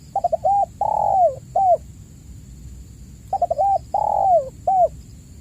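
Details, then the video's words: Spotted dove lure call for encouraging silent caged doves: two identical phrases of quick stuttered notes, a long mellow coo dropping in pitch, and a brief final coo, separated by quiet with a faint high hum. "pancingan burung tekukur gacor"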